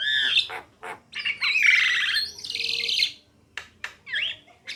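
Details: Song of a female and male Javan myna: whistled upslurs, then a long harsh grating buzz, followed by clicks and a short rising whistle.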